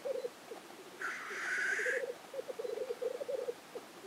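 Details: Black grouse on a lek, Innvik 2014: quick pulsed bubbling coos repeated rapidly, broken by one loud, breathy hissed sneeze lasting about a second.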